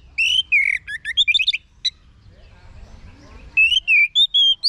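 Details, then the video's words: Orange-headed thrush song used to tutor captive birds. Rich slurred whistles and rapid chirps form a busy phrase, then a pause, then a second run of clear, swooping whistled notes. "Guru Vokal ANIS MERAH Agar Selalu Ikut Nyaut Ngeplong di Rumah"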